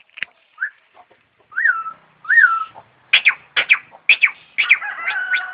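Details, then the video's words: Starling mimicking an ambulance siren: scattered clicks, two arched whistles rising then falling, then paired sharp chattering notes and a dense buzzy ending. "Kicau Burung Jalak Jos Manggung Menirukan Suara Mobil Ambulance"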